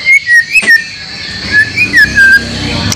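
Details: White-rumped shama singing a series of clear, slurred whistles in short rising and falling phrases over steady hiss; a training recording, 30 April 2024, with song material drawn from other species such as canary and lovebird.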